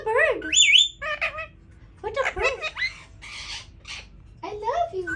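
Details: Captive Indian ringneck parakeet trying to talk, mixing warbled word-like syllables with a loud rising squawk and harsh noisy bursts, all in quick irregular succession indoors.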